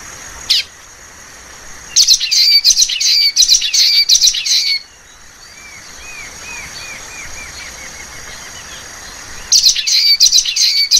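Common waxbills give bursts of high, buzzy, twittering chirps, with a soft series of thin, rising whistled notes between the loud bursts.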